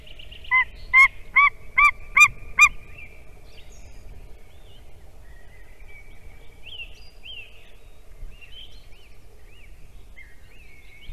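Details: Wild white-tailed eagle in Latvia calling for a nest change during incubation, 7:45 pm on 11 April 2020: a series of six loud, yelping notes about every half second, followed by faint twittering of small birds.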